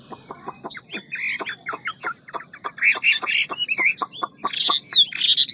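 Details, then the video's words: Hwamei of the 'ngũ trường' type in a rapid, many-voiced forest-style song: sharp dry clicks repeated quickly under short mellow notes, building into louder buzzy and whistled phrases at the end. "Họa mi ngũ trường giọng rừng mau mỏ nhiều giọng"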